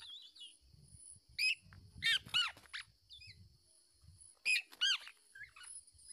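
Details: Black-naped oriole parent fending off a male that tries to seize its chick: two bursts of loud, nasal, harmonic calls, two to three notes each, a few seconds apart, with soft low rustling between.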